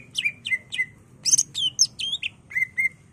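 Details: Greater green leafbird (cucak ijo) song used as a training lure: fast sequence of sharp downslurred whistles and harsher chattering notes, several per second, over faint background hum.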